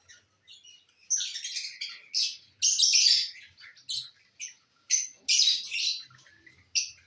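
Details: Lovebirds feeding on corn, uttering loud rasping chirps and screechy squawks in irregular bursts, several longer noisy calls overlapping, separated by brief silences.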